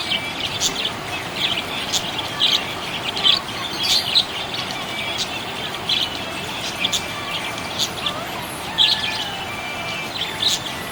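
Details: A happy budgie keeps up a chattering run of high, sharp chirps and twittering warbles, grouped in bursts with brief pauses, against continuous low hiss.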